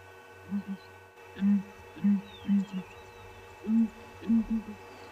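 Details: Two southern ground hornbills call to each other at sunrise in the Mara, booming deep, hollow, flute-like notes in pairs and triplets about a second apart over a faint steady hum; locally their call is taken as a sign of rain.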